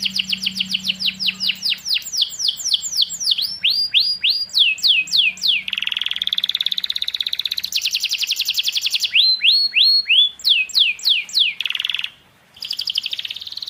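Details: Long canary training song: repeated clean downward-sweeping whistles, roughly three a second, alternating with stretches of fine, fast buzzing trill, and a brief silence near the end.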